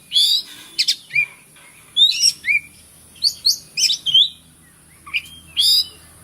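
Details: Caged white-rumped shama song meant to stir silent birds into singing: bright slurred whistles and sharp clipped notes in quick bursts, short gaps between phrases, loud and close, with a constant high background hiss.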